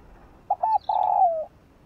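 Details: Spotted dove giving its morning song, used to stir newly trapped doves into cooing: a short soft note, a doubled coo, and a sustained low coo gliding down at its close. A faint higher sound is heard briefly.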